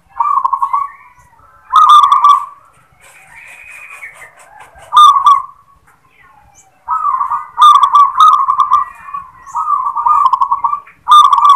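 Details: Local zebra dove cooing its "klar ketek kuk" song, a style whose opening "klar" note is much sought after; trilled, purring coos come in short bursts separated by pauses, with faint higher chatter between phrases.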